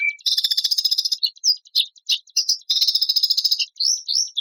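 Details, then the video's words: White-rumped shama song presented as training material: dense bursts of sharp, high chirps and rapid trills, broken by short pauses, with a few clear rising whistles near the end. "MATERI KOMPILASI ISIAN BURUNG MURAI BATU TEMBAKAN KASAR MEWAH GACOR MASTERAN AMPUH"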